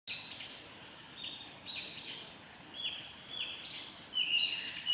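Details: A nesting Japanese paradise flycatcher pair swapping nest duty on a forest road by Lake Miyagase, 26 June 2016, gives short, slightly harsh high calls, one or two a second, growing louder, over soft forest hiss.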